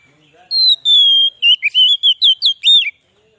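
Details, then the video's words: White-rumped shama song used as a lure for wild shamas: a long high whistle sliding slightly down, followed by a quick string of short warbled notes. "suara burung kacer cocok buat pikat burung kacer di huta liat dan cocok buat menaikan emosi kacer"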